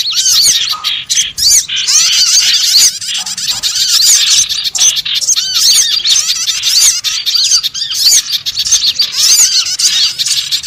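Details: Small birds in a lure recording used for trapping: a dense, continuous chorus of high, squeaky chirps, many arched, rising-and-falling notes overlapping without pause from several callers.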